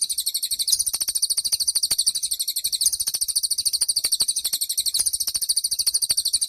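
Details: Cililin songbird singing, used as a master recording for training songbirds; fast, high buzzy trills repeated steadily without pause, dense rattling phrases throughout.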